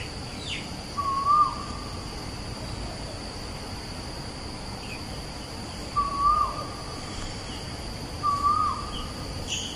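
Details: Rising, clear whistles from an Asian koel at Bukit Batok East, Singapore area opposite Bukit Batok nature park, 14 September 2021, repeated three times at uneven gaps, with soft distant bird chirps and a constant high hiss.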